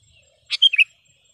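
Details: Single crisp phrase from a sooty-headed bulbul singing vigorously, recorded to tutor caged kutilang: a rough onset followed by two clear whistled notes, falling slightly.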